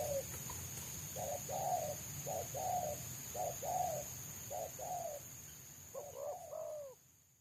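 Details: Free-living spotted dove prized by trappers for its dense, quick 'selang nguku' song: a series of soft hollow coos delivered about once a second, ending with a louder double-noted phrase, over low rural background rumble.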